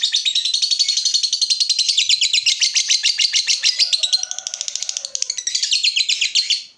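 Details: Lovebird in lively 'gacor' form whose 'ngekek' is meant to get other lovebirds answering. A continuous, rapid, buzzy, high chattering trill fills the whole stretch, dipping slightly in strength midway before picking up again.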